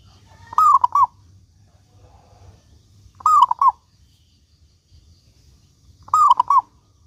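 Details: Local zebra dove singing as a lure for other doves: three quick cooing phrases spaced about three seconds apart. Each has soft rolling notes after a crisp click, with faint low hum and a brief murmur between phrases.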